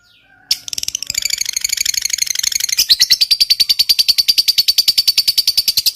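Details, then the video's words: Lovebird giving a long ngekek trill, used to provoke other lovebirds and draw quiet birds into answering. A few soft notes, then a fast, sustained chattering rattle of high, buzzy notes that grows louder and steadier toward the end. "Suara Burung Lovebird Ngekek Panjang, PINTAR Memancing EMOSI, LB Bisu SUSAH BUNYI Langsung NYAUT"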